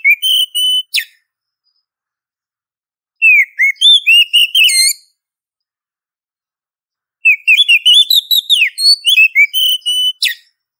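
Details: Oriental magpie-robin female calling to a male: three bursts of rapid, varied warbling whistles, each about two seconds long and separated by silent gaps of two to three seconds. The background is clean.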